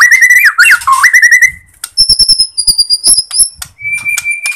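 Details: White-rumped shama from Borneo singing, used as a lure to provoke other shamas: an opening run of warbling whistled notes, then high thin sustained whistles and scattered clicks, ending with a steady mid-pitched whistle.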